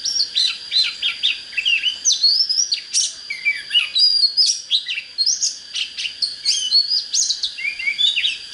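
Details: Oriental magpie-robin in fine song, used to get birds fired up: a rapid, continuous run of varied high whistles, sharp chirps and slurred notes, densely packed without a break, with a faint steady hiss behind.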